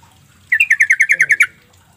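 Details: A lure call of the Sooty-headed Bulbul, meant to get silent birds to respond. About ten rapid, ringing chatter notes run in an even string, the last note sharper and slightly lower, over a soft low background rumble.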